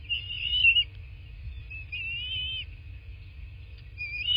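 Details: Bald eagle heard from a southwest Florida nest camera, 03/08/2024, 11:00; three high, thin whistled notes with a quavering tremolo, spaced about a second apart, against a constant low hum.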